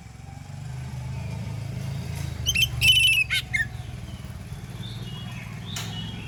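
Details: Loud morning song of an Oriental magpie-robin, sung to draw replies from other magpie-robins. One short burst of sharp whistles and a buzzy note ends on a dropping tone. Heavy low engine rumble, like a passing motorcycle, fills the background.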